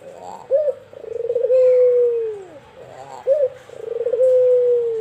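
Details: Caged white albino collared dove in full voice, giving a brief sharp opening note, then a sustained mellow coo that slides downward at the end, twice in quick succession.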